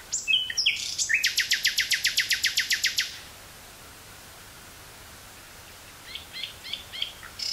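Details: Nightingale singing in Dutch woodland near Burgh-Haamstede, 18 May 1983, on a Sony TCD-5M cassette recorder: a quick flourish, then roughly sixteen loud repeated notes at a steady fast pace, followed by silence and soft distant notes.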